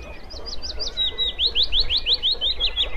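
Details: Wood warbler song: a run of sharp, high, slurred notes that speeds up into a rapid, shivering trill lasting about two seconds, over faint distant birdsong and low background noise.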